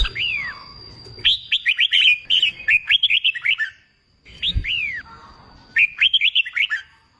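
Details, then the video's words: Red-whiskered bulbul singing to train birds for contests: drooping slurred whistles followed by rapid chattering runs of bright notes, repeated in two phrases, with a steady faint high tone and one low thump. "Kích bổi nghe là hót, luyện chim hót đấu, luyện chào mào bổi sổ giọng"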